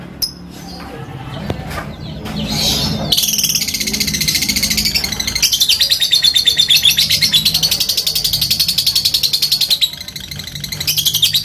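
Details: Fighter lovebird giving a long ngekek chatter meant to call rivals: after faint scattered notes, a high rapid trill of buzzy pulses runs steadily for about eight seconds, with a short pause near the end before it resumes.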